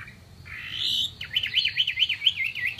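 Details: Chinese hwamei singing: a loud, long rising whistled sweep, then a fast run of bright, evenly spaced V-shaped notes, about seven in under two seconds, over a faint low hum.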